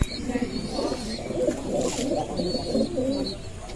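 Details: Male Giribaz pigeons kept in a loft in Rajshahi, Bangladesh, busy calling and quarrelling instead of eating; continuous overlapping low burbling coos, a couple of knocks, faint higher chirps in the background.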